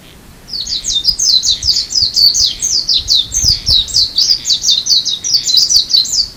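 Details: Japanese white-eye on Amami in February gives a fast, steady stream of thin, high twittering notes, about three per second, sustained throughout with little background sound.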